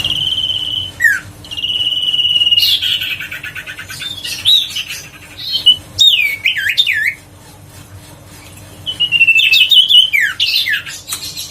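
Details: Huyt co bird, a recording meant to stir lazy birds into singing again: long steady high whistles, then a burst of buzzy, twisting rapid notes, a pause, and more looping whistled phrases with a faint steady hum behind.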